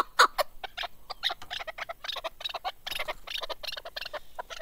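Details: Male Chukar partridge (keklik) kept for hunting, recorded in 2021: a burst of harsh, irregular clucks and chattering notes in quick uneven succession, some louder, scratchy strokes among them, with no other clear sounds.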